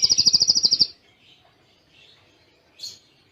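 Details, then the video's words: Konin, or kolibri ninja, singing a Cililin-style tembaan tutor song: one rapid high trill of about a dozen pulses lasting under a second, then near silence with a short soft chirp. "Masteran Konin Full Tembaan Cililin Jeda Rapat"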